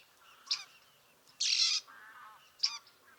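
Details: Bearded reedling (Panurus biarmicus) at Liepāja, Latvia, July 2023, calling: two short, nasal, twangy calls about two seconds apart, with a brief harsh buzzing burst and a softer drawn-out nasal note between.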